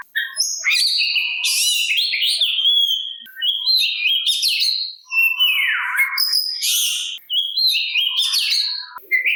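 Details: Oriental magpie-robin song for provoking other magpie-robins into singing back: long rich run of high whistles, buzzy rattles and sweeping downward slurs with brief breaks.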